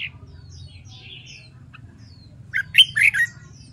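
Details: Red-whiskered bulbul competition song used for training: soft high twitters and a couple of short clicks, then a strong, fast phrase of looping, bubbling whistles near the end, over a low hum.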